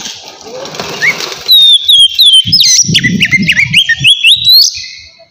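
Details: White-rumped shama giving a relaxed ngeplong-style song used to lure wild shamas: clear whistled notes that slide up and down and change pitch quickly for about three seconds, over low rhythmic thumping music.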